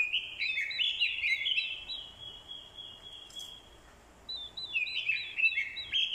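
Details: Orange-headed thrush decoy bird giving fighting song, a female's calls used to stir males: rich warbled phrases high and bright, one long phrase, a quiet pause, then a fresh burst of tumbling, fluty notes.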